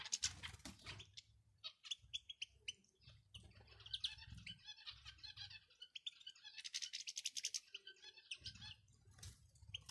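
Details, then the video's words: Male and female European goldfinch calling, meant to prompt a male to sing: dense, lively twitters and chattering notes almost nonstop, with tinkling trills growing busier toward the end over soft low thuds. "بتبتة ونداء دكر وأنثى الحسون"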